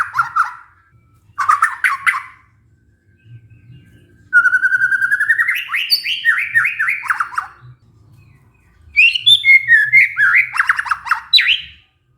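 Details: Shama lure song for stressed white-rumped shamas that have gone quiet: brief burry bursts, then a fast even trill turning into rising and falling warbled phrases, and a final tangle of rich high notes.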